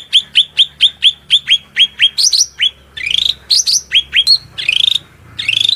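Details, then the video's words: A cucak rante in loud, shrill song: a quick run of about ten sharp down-slurred notes, then loud, ringing, buzzy phrases, with no other sounds standing out. "SUARA MELENGKING CUCAK RANTE GACOR"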